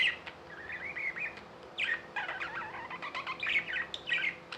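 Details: Several tame budgerigars kept as pets in India with a soft rolling warble that turns into dense overlapping chatter, with some scratchy notes and a low steady hum behind.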